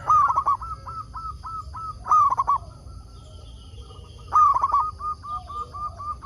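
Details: Zebra dove, a local bird used to lure others into answering, opens with a loud rolling coo, follows with evenly spaced short coos, and gives further loud bursts at about 2 and 4.4 seconds.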